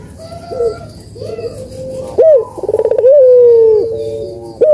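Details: Dove coo intended to trigger silent doves into calling: faint distant coos first, then a loud close phrase of rapid rolling pulses and a long, slowly falling hollow note.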